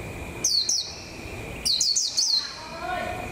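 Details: ['Decoy white-eye in a cage, getting into form for the 2021 season. Two short bursts of sharp, high, falling chirps, two notes then four, over a constant faint hum.']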